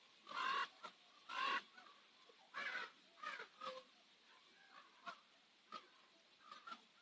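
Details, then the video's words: Common ravens calling at sunset on Nose Hill in Calgary: several harsh, hoarse croaks in uneven bursts, two loud ones early, then shorter, fainter calls scattered through the rest, over a quiet background. "Nose Hill Ravens"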